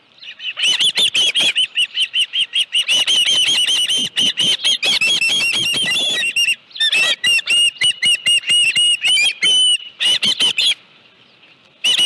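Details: Osprey, live fish at the nest, 25 July 2018 near 5:23 PM: a long stream of rapid, squealing chirps, broken by two brief pauses, then a fresh burst at the very end.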